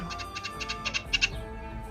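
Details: A grackle perched high up near a home garden gives about five quick pairs of harsh, high chacking notes that grow louder, over a low background hum.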